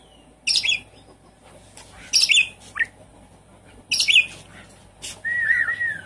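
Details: Javan pied starling song used as a lure to get a silent caged bird singing: four loud bursts of harsh, scratchy chattering notes, then a drawn-out whistled slur at the end, over a quiet background.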